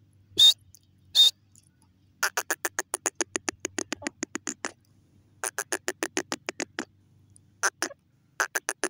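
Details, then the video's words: Grey francolin (desi teetar) giving two loud, high piercing notes, then long series of short, harsh, evenly spaced pulses in several bursts separated by brief pauses, in an otherwise quiet setting. "desi teetar ki lovely awaz teetar ke massti"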